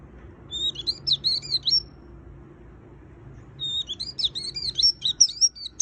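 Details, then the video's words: White-eye (pleci) in gacor full isian singing: two bursts of fast, high, doubled chirping notes, the second longer and louder, with a quiet gap and faint low hum between them. "Suara Burung Pleci Gacor Full Isian - Tiếng chim vành khuyên líu"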